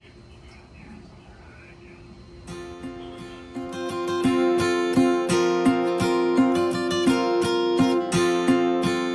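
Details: Strummed acoustic guitar music builds up after a quiet start, with no animal voice.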